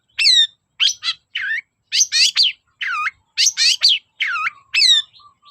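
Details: Loud Long-tailed shrike singing nonstop, used as a lure to provoke shrikes that rarely sing. Short harsh chirped phrases, each hooked or slurred, delivered about twice a second with clean gaps between them.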